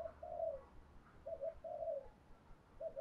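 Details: Spotted dove used as a lure, giving a calling coo in the 'giọng thổ' style: soft, low, hollow coos in pairs, a short note then a longer falling one, repeated over steady low background rumble.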